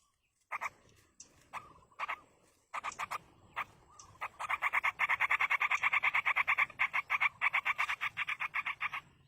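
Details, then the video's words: Yellow-vented bulbul young in the wild begging during parental feeding: a few scattered harsh notes at first, then a dense, rapid run of buzzy chattering notes building to a continuous stream. "indukan burung trucuk meloloh anakan di alam"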